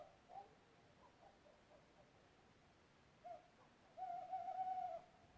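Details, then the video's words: Owl calling in Europe: after faint, scattered soft notes and a brief clipped hoot, a sustained tremulous hoot of about a second rings out steadily, ending in quiet background hiss. "What is the owl making the sound?"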